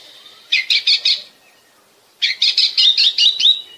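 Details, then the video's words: Oriental magpie-robin from Bekasi, song used to prompt other birds to sing: two bursts of rapid, bright chattering notes, about four then eight quick pulses, with a faint steady whistle underneath. "pancingan suara kacer"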